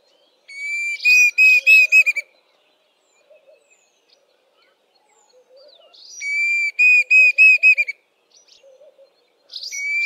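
Diderick cuckoo singing loud, clear whistled phrases of about six quick notes, 'dee-dee-dee-deederik', repeated every few seconds; faint lower chirps in between.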